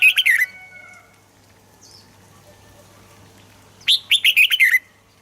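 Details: Red-whiskered bulbul singing, used to stir caged birds into song: a brief warbled phrase opens, then quiet, then a quick bright run of five or six whistled notes near the end.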